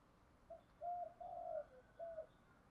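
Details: Spotted dove calling in the thổ pha đồng song style: soft, hollow coos, one short, two longer and gently falling, then one more. The bird sounds distant under a faint background hiss.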